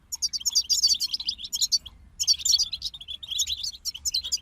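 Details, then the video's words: A group of European goldfinches singing: fast, high tinkling twitters and chattering trills in dense bursts, a brief pause near the two-second mark, then the lively twittering resumes; no other clear sounds. "King of Songbirds Goldfinch Group Motivations for Songbirds"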